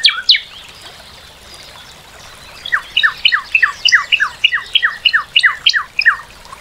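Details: Northern cardinal giving a series of paired whistled notes, each sweeping downward, repeated about three times a second. A soft trickling background runs throughout.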